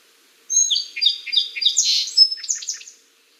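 A Song Sparrow sings a complex, about three-second phrase: clear opening notes, then a rapid jumble of varied chips and trills ending in buzzy notes.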